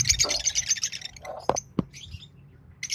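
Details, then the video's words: A green pair of Fischer's lovebirds: a fast burst of shrill rapid chirps, then a couple of sharp clicks, a brief twitter and one last high chirp. "Lovebird Singing & Chirping Sounds Green Fischer Pair"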